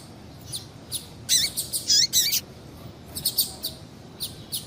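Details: Female double-collared seedeater calling to excite males and keep them singing: faint high chirps, then a dense burst of sharp, rapid, buzzy notes, followed by more short high chirps in quick clusters.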